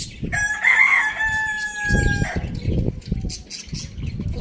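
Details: Farm rooster in a village crowing loudly, a strong harmonic crow held steady for about two seconds before breaking off, followed by low scuffling, thumps and faint clucks in the farmyard.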